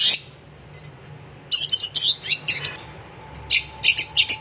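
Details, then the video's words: Sparser long-tailed shrike gacor song: one sharp note, a near-silent gap, then clusters of buzzy, high chirps and squeaky whistles; a faint steady tone lingers in the background. "kicauan cendet gacor"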